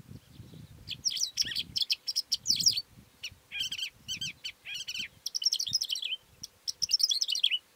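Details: A calandra lark gives a fast, continuous song of scratchy, jangling notes and bright whistled trills, mostly high-pitched, in bursts with brief pauses, over a faint low rumble.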